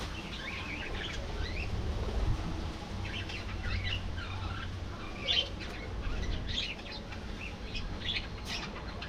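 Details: Flock of budgerigars in a colony warbling and chirping continuously, with scratchy notes and a few sharper calls, over a low background hum.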